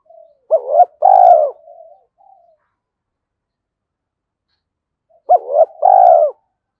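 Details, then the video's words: Early-morning decoy spotted dove luring wild doves into fighting; two identical phrases about five seconds apart, each a stuttering double note followed by a long throaty falling coo and soft trailing notes. "tiếng chim cu gáy mồi gáy gọi bổi lúc sáng sớm"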